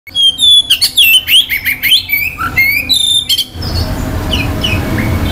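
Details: Oriental magpie-robin singing to stir other males' aggression and breeding urge: a fast, loud run of varied clear whistles, sweeping slurs and harsh notes for about three and a half seconds, then a soft, noisy background with faint notes.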